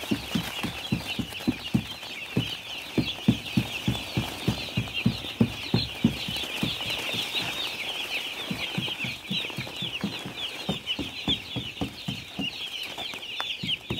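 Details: Baby chickens on a farm, a crowd of high, thin peeps merging into a steady chirping chorus, with a loud, regular low thumping beat running through the whole stretch.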